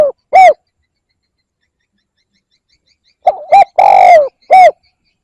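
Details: A spotted dove coos to attract birds: an isolated short note, then after a silence a phrase of two soft quick notes, a long falling hollow coo and one short final note.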